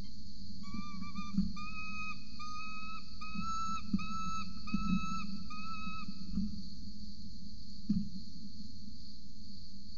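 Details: Peregrine falcons at a university nest camera in Orange, Australia, 8:07 am on 26 November 2020, adult feeding a chick: clear whistled, slightly wavering calls repeated in a steady series, each about half a second, over a constant low hum.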